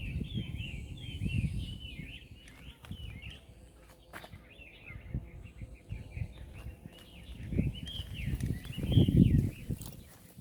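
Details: Outdoor birdsong at Hac Sa in Macau: quick runs of high, twittering, up-and-down chirps come in bursts across the recording, while low rumble and occasional footstep-like thuds rise and fall beneath them.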